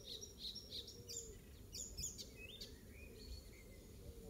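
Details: Icterine warbler singing in a garden in Pieterburen on 17 May 2022, a song said to include oystercatcher mimicry: varied high whistles and chirps, short sharp notes and brief rising slurs, with a low steady rumble of background noise.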